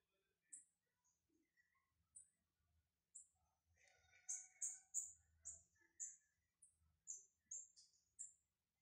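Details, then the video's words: Brown lined seedeater warming up with sharp, very high single notes spaced about a second apart. They speed into a quicker string of bright chips midway, over faint low background knocks. "Esquentando-meu-bigodinho pardo"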